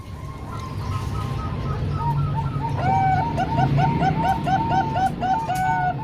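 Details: Zebra dove song from Bangkok-type and local birds used to train young birds: soft cooing at first, then louder regular runs of hooked coos with several birds overlapping, over steady low noise.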